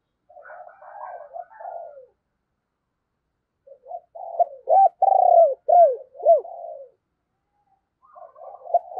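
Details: Spotted dove decoy cooing and calling to lure wild doves, a soft murmured phrase followed by a loud run of five strong arched coos, then quieter cooing resumes.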